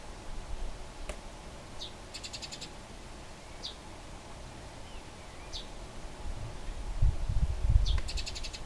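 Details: Fighting wild Eurasian tree sparrows, Lower Silesia, Poland, around Bolesławiec: several short downslurred chirps scattered through, two rapid grating rattles of clicking notes, a sharp click, and a low thump near the end.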